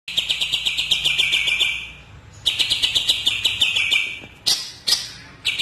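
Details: Greater green leafbird, known locally as cucak ijo Kalimantan, singing in fast runs of buzzy, harmonic chirps, about two seconds each, separated by short pauses and sharp single notes.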